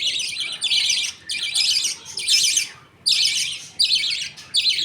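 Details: Pet budgie colony at feeding time, with the father budgerigar feeding two chicks and the mother watching. Six or seven raspy, buzzy bursts follow one another, each around half a second long.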